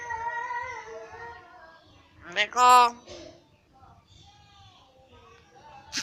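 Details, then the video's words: Common hill myna imitating human speech, a bird known for copying people's voices: a drawn-out voice-like phrase with stacked harmonics, then a louder harsh voiced syllable, faint speech-like murmurs and a sharp click at the end. "Burung Beo Berkicau : Terkenal Suaranya Meniru Manusia"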